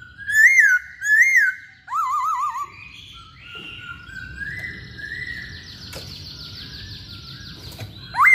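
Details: Masked laughingthrush sings vigorously. Two loud arched whistles and a trilled warble come first, then softer, drawn-out wavering tones and, at the end, a sudden loud rising whistle.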